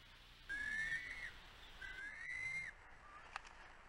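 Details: Bald eagle on a nest-cam at the West End nest, Catalina Island, California, USA, 07.11.2022, as the resident female pushes an intruder eagle from the nest: two drawn-out, slightly rising whistled notes with harmonics, each about a second long, over steady hiss.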